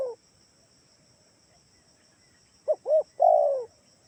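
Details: Lure call of a Kalimantan spotted dove, used to prompt other doves to call back. A clipped coo ending opens the clip, then a full phrase follows: two quick soft hoots and a long, drawn-out descending coo, with constant insect whine behind.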